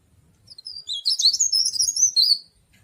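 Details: Leaf warbler known as cikrak daun or tralis, an ornamental songbird, sings a brisk, very high, jumbled twitter of thin sliding notes for about two seconds, with a quiet low background.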